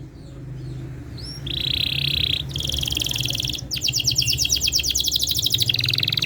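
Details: Canary in full singing form, played to prompt silent canaries to answer: sustained buzzy trills and rapid rolling repeated notes, high-pitched, with a steady low hum underneath.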